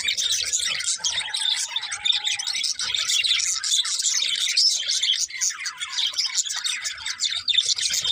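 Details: Many budgies chattering at once, a steady wash of high, scratchy twitters and chirps, with one brief lower whistled note near the start.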